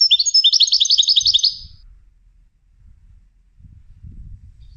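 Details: European goldfinch trained for song competitions gives a quick high twittering phrase of about a dozen tinkling notes lasting under two seconds, followed by low background rumbling.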